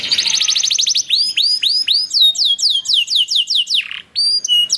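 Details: Canary singing, used to prompt other canaries to sing: a rapid buzzy trill opens, then a run of evenly spaced rising-falling whistled notes, ending in a dip and a couple of high clipped whistles.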